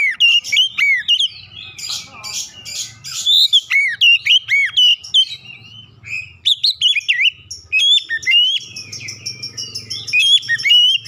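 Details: Oriental magpie-robin lure song for getting silent magpie-robins to sing: continuous dense run of loud whistled, trilled and swooping notes, with buzzy high sounds and a low hum underneath.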